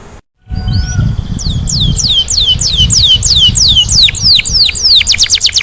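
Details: Canary singing in a lively rolling, shooting style: a brief faint whistle, then a steady run of bright downward-slurred whistled notes, about four per second, quickening into sharper strokes near the end over a low rumbling background.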